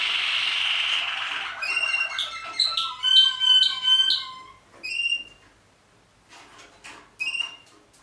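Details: Malinois Waterslager canary in 2014 singing a loud rolling trill, then rapid ringing bell-like notes and sharp high whistles separated by short silences.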